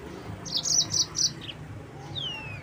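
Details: Short yellow-fronted canary phrase used to provoke rivals: a quick series of four high buzzy chirps followed by a thin, drawn-out descending whistle.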